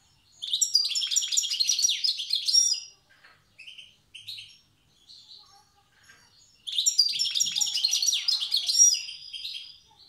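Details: European goldfinch, a wild bird from Tiaret, delivering old-style song: two dense phrases of fast liquid twitters and trills separated by a few soft scattered chips.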